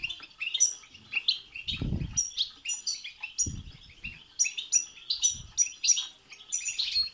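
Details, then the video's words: Lively European goldfinch song meant to set a goldfinch singing: rolling twitters and jingling chirps, sharp high notes scattered through, a few dull low bumps in the background. "بتبتة وستستة تخرج الحسون عن السيطره..... هيجان خرااافي تسببه هذه البتبتة نار على نار سيغرد حسونك"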